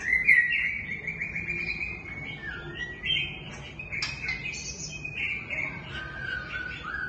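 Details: White-rumped shama song built from long, even whistles and bubbly slurred phrases, broken by a few crisp clicks.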